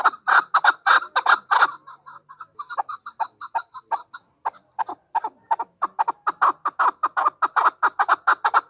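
A chukar gives a long run of hoarse, clucking chuck notes. They start loud, soften in the middle, then swell again into a fast, steady rattle.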